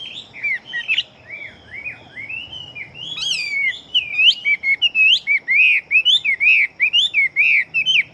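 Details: Chinese hwamei fighting bird in quick song. Quiet, varied warbling builds into a fast stream of loud, looping whistled notes, some rising and some falling, delivered several per second.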